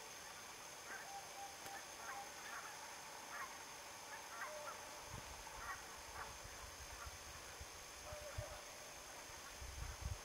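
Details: Barnacle geese in fog at Niittylahti, Savonlinna, Finland, on 2 October 2011: many short, yapping honks scattered throughout, repeated irregularly and sounding distant, over a steady background hiss.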